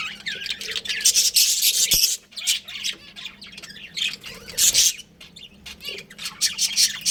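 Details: Pet budgerigars, a breeding pair in a family group, chattering with dense high chirps and scratchy warbles in loud bursts and softer lulls.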